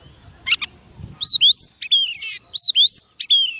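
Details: White-rumped shama singing to attract wild birds: after a couple of short buzzy notes, loud rising whistled slurs repeat in quick succession, mixed with a brief harsh rattling burst.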